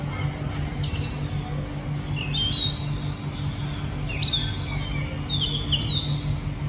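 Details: Urban Oriental magpie-robin in a capital city, with a faint opening note, then bright whistled phrases with falling and rising slurs in the second half, set against an unbroken low hum of city noise.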